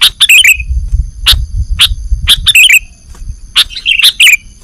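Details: Sooty-headed bulbul (kutilang) calls from a bird-trapping lure: quick bubbly chirp clusters and single sharp notes. A low rumbling noise runs beneath the first half.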